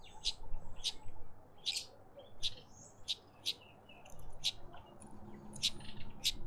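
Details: Sharp, bright chip notes from a Karoo thrush visiting a garden bird bath in Pretoria, South Africa, spaced unevenly about every half second to second, with softer chirps between and low rumble beneath.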